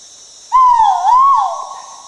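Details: Male great argus calling in tropical rainforest, Danum Valley Conservation Area, Sabah, Borneo, Malaysia; a single loud, pure whistle that dips then rises in two swells before a long level tail fading away.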